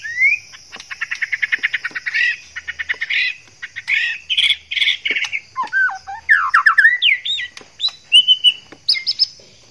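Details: White-rumped shama male courting a female while in breeding condition: a fast rattling series of repeated notes, harsh bursts, then looping whistled slides and varied phrases, over a constant high hiss.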